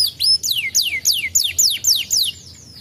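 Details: Canary singing to prompt answers from other canaries: a run of about seven loud downward-slurred whistles, evenly spaced roughly three per second, fading at the end.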